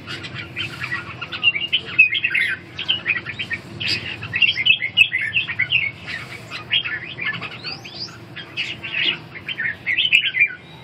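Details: Red-whiskered bulbuls in a dueling contest sing a dense, continuous stream of quick chirping and warbling notes with hardly any gaps across ten seconds.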